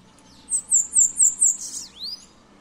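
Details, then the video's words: Bananaquit singing: a short, very high phrase of about five quick slurred whistles, then a buzzy trill and a final downward-then-rising sweep, all lasting under two seconds against faint background hum. "Sibite Cantando"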